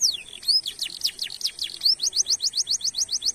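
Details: Canary song used as a training lure to make other canaries sing, with a 'cuit cuit' style. Quick downward-sweeping high whistles break into a fast, even run of rising chirps repeated about seven times a second.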